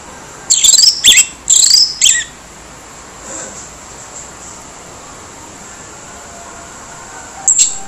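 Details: Harsh-voiced orange-headed thrush meant to provoke quiet birds into answering: a fast cluster of four scratchy, buzzy high bursts, then near silence with soft hiss, and one more short rasp at the end.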